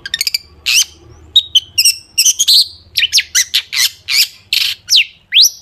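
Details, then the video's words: Energetic long-tailed shrike song loaded with sharp 'tembakan' shots, used as a lure for other shrikes; fast stuttering notes then a run of harsh rasps, ending in sweeping up- and downslurred squeals, over a faint low hum. "cendet gacor FULL ISIAN TEMBAKAN TAJAM untuk PANCINGAN CENDET AGAR BUNYI jadikan BURUNG PENTET GACOR"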